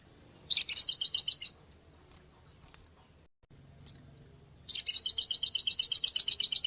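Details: Crested jay giving the sharp 'tembakan' song style used to tutor songbirds: a fast, high-pitched pulsed rattle, two isolated piercing chips a second apart, then another long even rattle running to the end.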